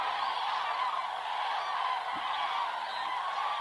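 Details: Cranes gathered on the Hortobágy steppe in Hungary between September and November, flying to roost at dusk; a thick, even chorus of overlapping rolling calls without pause, with one faint low thump.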